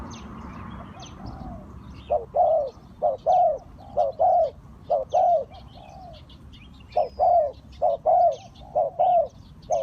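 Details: Cooing of a Spotted dove used to attract wild birds into a trap: after a quiet start, soft hollow phrases pairing a clipped note with a drawn-out falling croo repeat steadily, with thin bird chirps behind.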